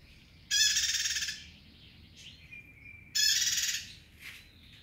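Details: A bar-winged prinia gives two buzzy, rapid high trills about two and a half seconds apart; between them a thin whistled note and a short chirp from another bird are heard.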